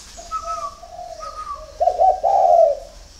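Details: Spotted dove at a Ba Vì, Hanoi dove farm in Vietnam, early morning: soft low hums and higher thin notes build into a loud, buzzy, rolling coo at the end.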